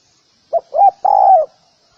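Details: Spotted dove (Spilopelia chinensis) call: a soft, hollow cooing phrase of two short notes, then a longer, drawn-out coo that falls at the end, in a quiet setting.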